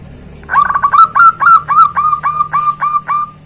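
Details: Loud zebra dove calling a rival: a stuttering start, then about eleven clear, ringing, slightly falling notes delivered in an even rhythm, fading at the end over a faint low hum.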